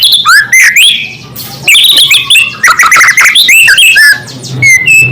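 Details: White-rumped shama singing to provoke other shamas: continuous fast stream of loud, varied whistled notes, rising slurs and chatter with brief pauses.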